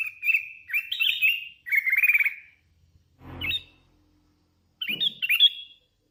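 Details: Hand-reared Sooty-headed bulbul singing eagerly: warbled whistled phrases with a trilled, stuttering middle section, a short gap broken by a dull knock, then two more rising whistled notes.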